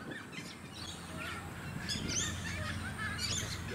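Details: A comb-crested jacana at a small artificial lake on the Sunshine Coast, Queensland, in March 2018, gives squeaky, piping notes in quick uneven bursts over other birdsong, wind and low suburban rumble.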